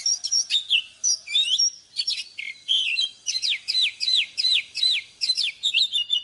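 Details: Oriental magpie-robin singing in the morning, used for training caged birds: a quick run of varied clear whistles, then a steady series of sweeping whistled phrases repeated about twice a second, loud against a quiet background.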